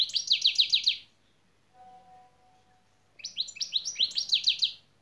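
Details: European goldfinch in song training, singing fast repeated high trilled notes in two bursts about a second long, separated by a quiet gap with a faint steady tone.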